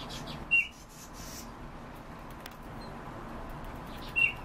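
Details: European bee-eater (Merops apiaster), kept in captivity, giving two short, liquid, rolling calls about three and a half seconds apart, over a soft steady background hiss.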